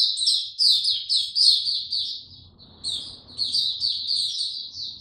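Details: White-eye kept in a cage, recorded 29 April 2022 without health supplements, in a low-energy state: fast, high chattering twitters in two bursts separated by a short pause, with faint low background hum.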